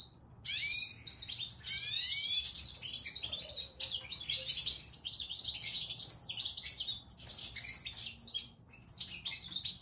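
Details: Singing goldfinch pours out dense, high twitters, trills and quick slurred notes in long phrases with only brief gaps, close and clear.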